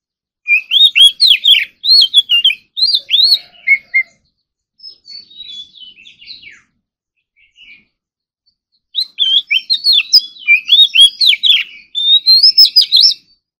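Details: Oriental magpie-robin kept for training, doing morning singing practice in a contest style. Rich, varied whistled phrases of quick rising and falling notes come in two dense bursts, with a quieter scratchy patch between them.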